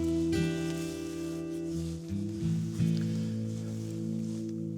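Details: Sustained instrumental music with steady held tones and a few shifting notes, and no animal calls.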